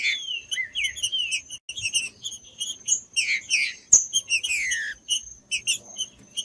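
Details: Green-winged saltator, a tournament bird, singing to warm up other saltators: a falling whistled phrase at the start, clusters of short notes, and strong sweeping downward whistles midway, with a faint continuous high tone.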